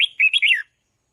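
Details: Brief red-whiskered bulbul song phrase, sung to spur on decoy birds: a sweet, slurred warble of several linked notes ending in a falling whistle, then silence.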